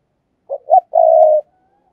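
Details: Decoy spotted dove kept as an ornamental bird, calling in the thúc and gáy gọi manner: two brief low notes then a long level coo fading out, heard alone in quiet.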